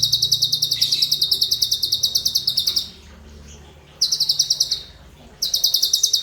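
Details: Cucak cungkok singing a long, fast, high rattling trill, then shorter bursts after pauses; a bird used to teach other songbirds, heard over quiet low background noise.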